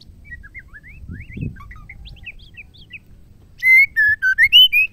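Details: Female White-rumped shama song, used to goad males into singing. Soft, quick twittering notes give way to a loud phrase of six clear whistles, some rising and some falling.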